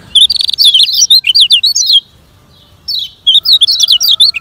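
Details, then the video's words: A Lombok lemon-bellied white-eye sings a fast, high, twittering warble in two bursts of quick chirps with a short pause between, over a faint steady tone; it is used as training for slow-singing birds. "Kecial Ngejoss Speed Kengceng Untuk Latihan Kecial Kuning Lambat"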